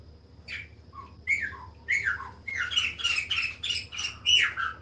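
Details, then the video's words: Chopi blackbird singing: a few separate falling whistles build into a fast, dense run of buzzy, warbling notes, with a faint steady hum behind. "CANTO DE PÁSSARO PRETO OU GRAÚNA/CLAÚNA"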